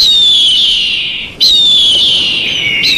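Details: Eagle giving loud, high, thin whistled screams that slide slowly downward, two long calls with a sudden restart midway, rich overtones above, steady hiss beneath.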